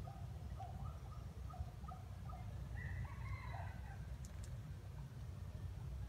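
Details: Wild junglefowl crowing while used as bait in a trap: a series of short harmonic notes, then a longer drawn-out crow with stacked tones rising and falling, over steady low rumbling background noise.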